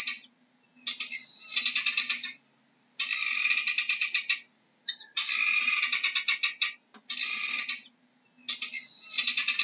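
Guineafowl giving harsh, grating bouts of rapid pulsed notes, each burst lasting a second or two.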